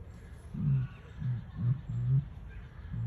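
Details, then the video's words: Deep, booming hums from a captive Southern helmeted curassow at Lotherton Wildlife World, 23 July 2021, five short low notes repeated at uneven intervals of roughly half a second. "Southern Helmeted Curassow making a strange Noise!"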